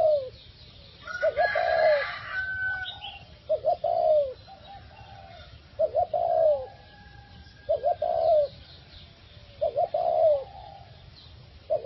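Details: A caged Spotted Dove kept as a decoy for four years and recently shifted to a new cage and area. It repeats low, soft, throaty coo phrases about every two seconds, each with a quick double note and a falling drawl. Brief higher sounds overlap early.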